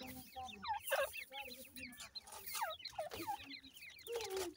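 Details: Grey francolin chicks peeping in a crowd, repeated curling high notes with a few louder downslurred calls, over low clucking sounds and noise.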